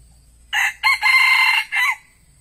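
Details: Decoy red junglefowl used to lure wild birds, giving one loud, clipped crow in four parts: a short opening note, two rough sustained middle notes and a brief falling ending, over a nearly silent background.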